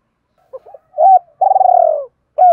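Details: Spotted dove cooing, used to stimulate other doves to coo: two short soft notes, a strong downslurred coo, then a long rolling purr-like note lasting over half a second, and the start of another slurred coo.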